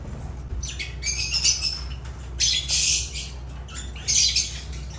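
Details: Agapornis lovebirds calling in loud, harsh, high squawks, several bursts of rasping chatter in quick irregular succession above a faint low hum.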